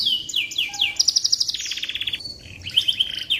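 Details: Canary song intended as a tutor for white-rumped shamas: a quick series of down-slurred whistles, then fast buzzy rattles and a lower rolled trill, all high and rapid.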